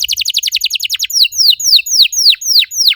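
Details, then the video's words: Canary song meant to stimulate other canaries into singing: a fast rattling run of short notes about one second long, then six slower, loud downslurred whistles evenly spaced. "PANCINGAN EFEKTIF BURUNG KENARI, CORR DORRR!!"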